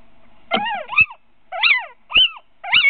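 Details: Little owl calling at a webcam nest in Winterswijk on an early February evening in 2017, a short meeting with a third owl present: four loud, harmonic-rich mewing cries, each swooping up and down, some given as quick doubles.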